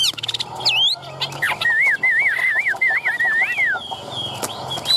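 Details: Caged Chinese hwamei in Vietnam, tail fanned, sings a wavy looping whistle repeated several times over faint background noise and a low hum, preceded by quick chattered notes.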